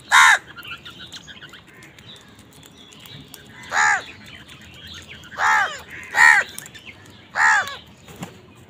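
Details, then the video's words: Crows fighting over food; one gives five harsh, nasal caws spaced about one to two seconds apart over a low background hum. "Crow Sound part 103 কাকের ডাক"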